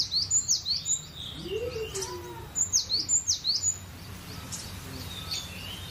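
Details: Cinereous tit in full, easy gacor song, delivering two quick bursts of high, sharp see-sawing whistles, each several notes long, separated by a lower chirping sound from another source.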